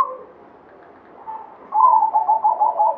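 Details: Local zebra dove of the Banyumili katuranggan type, singing actively. After a quiet stretch comes a fast run of short, pulsing coo notes, steady in pitch.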